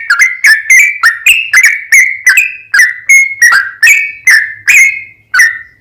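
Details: Sooty-headed bulbul song used as a lure: loud whistled phrases of sliding notes near the same pitch, each with a sharp attack, repeated roughly every half second with short gaps.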